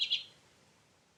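Common Redpoll giving two quick, buzzy high notes, about a tenth of a second apart, then quiet background hiss.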